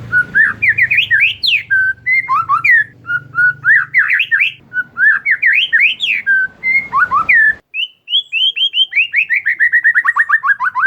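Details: Lure recording of an oriental magpie-robin for a bird that has stopped singing: rich string of looping whistled phrases, then a fast descending series of short sweet notes, with a faint low hum at first.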